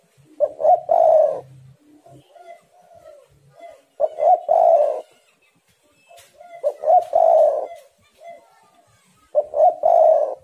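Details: Competing spotted doves in energetic song, used to stimulate other doves to sing: four mellow, low coo phrases, each a stuttered start and a loud rolling coo, repeated every three seconds with soft linking notes.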